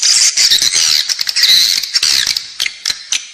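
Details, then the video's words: Edible-nest swiftlet calls meant to draw the birds into a building: a loud burst of high, rasping chirps that fades into sparse clicks and short trills. "เสียงเรียกนกแอ่นกินรัง ((ด้านในตัวตึก))"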